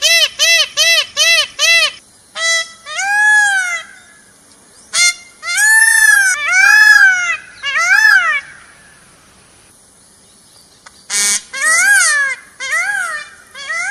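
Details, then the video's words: A peacock (Indian peafowl) gives loud, nasal, trumpeting calls: a fast run of five short honks, then longer arched wails in bursts with brief pauses between. "Peacock Sound"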